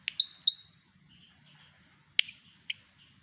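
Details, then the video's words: Javan pied fantail mimicking white-rumped shama song: two bright, sharp chirps, then soft, even whistled notes on two pitches, broken by a loud snapping click and a few more chirps. "burung sikatan kipas jawa menirukan kicau murai batu"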